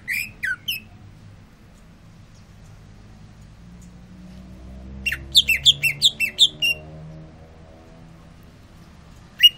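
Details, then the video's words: Brief song bursts from a caged greater green leafbird after its sunbath: a few high chirps at the start, a long pause with low hum, then a quick run of sharp, rising-falling whistled notes. "Cucak ijo rajin bunyi"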